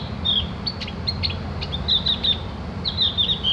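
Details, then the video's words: Opior jawa or cak gentong, the Javan grey-throated white-eye, in a short burst of tutor song for training birds: high, squeaky chirps and quick whistled notes in three small clusters, with a faint low hum behind. "masteran burung opior jawa atau cak gentong agar ikut ngriwik dan bunyi"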